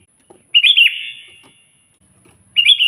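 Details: Sooty-headed bulbul song for calling a rival: one full gurgling phrase of quick dipping notes with a long echoing fade, then silence with faint low rustles, before the next phrase starts.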